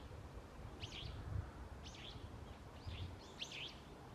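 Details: Wild birds in autumn woodland at dawn. Four looping, twisting chirps spaced roughly a second apart, fairly faint, over a low rumbling background and hiss.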